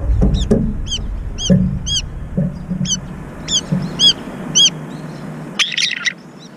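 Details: Brown-eared bulbuls fighting for a place at a feeder give a series of short sharp downslurred squeaks, roughly twice a second, then a harsh burst near the end, over low thudding and rustle.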